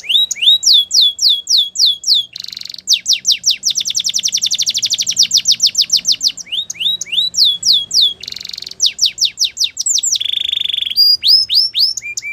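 A Spanish Timbrado canary sings fast metallic trills and rolls. High sweeping notes repeat several times a second, with longer rattling runs between them.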